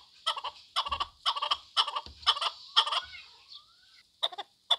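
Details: Chukar partridge calling in grouped harsh clucks, each burst of several chuk notes spaced about half a second apart, with a short pause before a final pair of notes.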